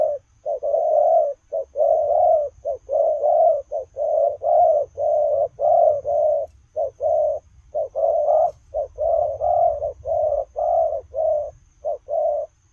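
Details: Spotted dove cooing while running about, giving a steady string of mid-pitched, throaty coos in short-and-long pairs, roughly one note a second for over twelve seconds, with a faint low rumble underneath.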